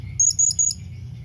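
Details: Blue-crowned hanging parrot calling companions: a rapid string of about four thin, very high, slightly wavering whistled chips within under a second, with a low hum beneath.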